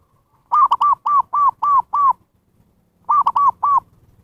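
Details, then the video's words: Zebra dove calling, a recording used as a lure for wild birds: two bursts of quick, arched cooing notes, six then three, sharply repeated with a brief pause between, in clean silence. "SUARA PIKAT PERKUTUT นกพิราบชวา Chim Cu Vằn | memanggil burung liar"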